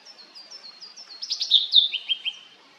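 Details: Blue-and-white flycatcher (Cyanoptila cyanomelana) singing one loud phrase of quick warbled, slurred notes mid-clip, then a few falling notes, over a steady background of soft high repeated chirps from other birds.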